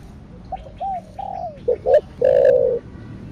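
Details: Spotted dove giving a thổ đặc thúc kích bổi (thổ sấm) coo: soft falling hoots, then two short clipped notes and a long, loud, level coo at the end.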